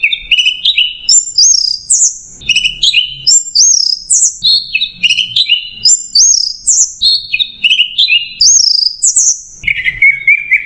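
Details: Clear, continuous macet jernih masteran song from an Orange-headed thrush: repeated sets of rising whistled notes climbing to high squeaks, phrase groups about every two seconds, ending in a lower warble, with a faint low hum.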